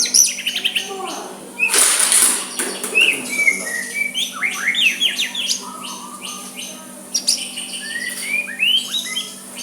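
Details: Soft song of a white-rumped shama meant to provoke a rival, opening with a burst of noise, then rising whistles, rapid clicks and repeated chirped phrases, low hum behind.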